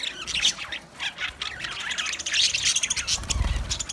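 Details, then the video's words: Green budgies calling: rapid scratchy squawks and chirps in short bursts, warbling notes overlapping, a thud near the end. "Green Budgie sound sound of Budgie birds"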